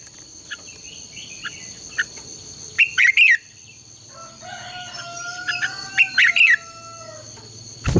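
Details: Red-whiskered bulbul contest song, played in the morning as a lure to train birds to sing: two quick chattering, warbled phrases, with a drawn-out lower tonal sound between them and a constant high whine behind.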